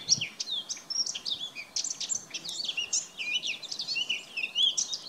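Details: Eurasian blackcap pouring out a rapid, continuous warble of high chattering and scratchy notes mixed with short whistled slurs, loud and unbroken throughout.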